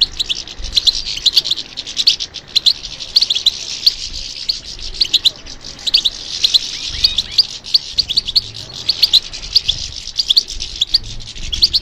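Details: Long stretch of European goldfinch song in response to stimulation: steady, high twittering with scattered sharp chirps and buzzy trills, no clear pauses.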